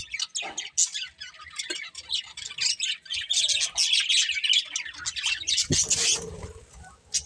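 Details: Chattering budgerigars give a busy run of high, buzzy warbles and sharp chirps that builds in intensity, then ends with a brief harsher note and a dull knock.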